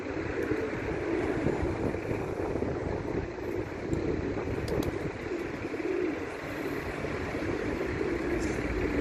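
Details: A group of pigeons cooing together: low, soft rolling coos overlap in repeated bursts throughout, set against a steady rumbling background noise like an engine.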